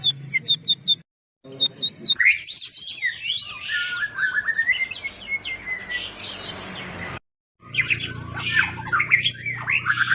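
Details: White-rumped shama song aimed at making other shamas sing: after a few faint ticks comes a dense, rich outpouring of rapid whistles, slurs and chatter, cut briefly by a silence and then resumed.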